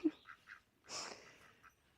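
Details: Farm ducks near a donkey in a spring vegetable garden, on a hot, humid day after repeated heavy rain, give a few short, nasal quacks, then a louder, harsher rasping quack, all fairly faint against a quiet outdoor background.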